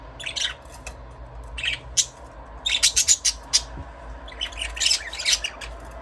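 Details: Budgerigars chirping: clusters of sharp, high, raspy chirps, a fast run of about six notes near the middle, then another busy burst of warbling chirps.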